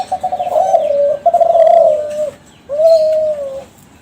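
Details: Young captive Kelantan spotted doves of champion stock, cooing to lure other doves into calling. A pulsing, rolling coo flows into a smooth level one, and after a pause a second long even coo follows.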